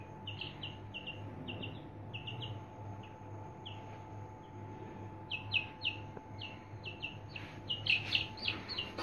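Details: Three-day-old Aseel chicks peeping: short, high, clear cheeps repeated in quick loose runs, sparse at first and denser near the end, over a steady low hum and a faint constant tone.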